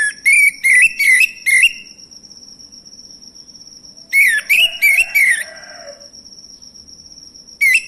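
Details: Male orange-headed thrush song used to provoke other birds into singing: quick runs of four or five bright whistled notes, each rising then falling, repeated after a pause, with a continuous thin high whine in the background.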